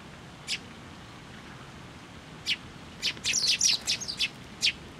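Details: Sparrows, chicks and parents, flying in to take food from a post at a Tenmangu shrine on 11 June 2024: sharp, high chirps, scattered at first, then a rapid cluster of several, over a steady background hiss.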